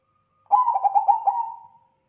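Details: A single crossing-style phrase from a Bangkok perkutut zebra dove: a quick series of five or six soft throbbing coos merging into a level fading note, lasting just over a second.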